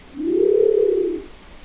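A Nicobar pigeon gives a single low, hollow coo lasting about a second, swelling slightly in pitch and then fading, against a quiet background.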